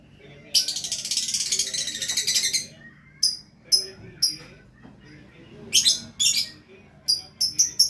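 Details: Lovebird in loud, chattering song: a long harsh buzzy burst of about two seconds, then short sharp high chirps and squeaky notes in clusters, with a faint low hum behind.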